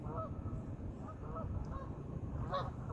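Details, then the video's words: Geese on a pond give short, nasal honks, several in three seconds, over a loud, steady low rumble of background noise. "geese in the pond"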